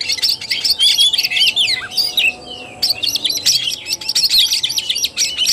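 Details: Oriental magpie-robin singing in the fighting style called tarung, recorded 17 August 2021: dense, rapid bursts of sharp whistled and chattering notes, with a brief pause near the middle and a steady faint low hum beneath.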